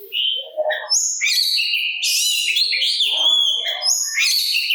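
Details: An Oriental magpie-robin sings a provoking song meant to draw replies from rival magpie-robins. Continuous rich warbling of high whistles, buzzy trills and quick chattering notes, with almost no pauses.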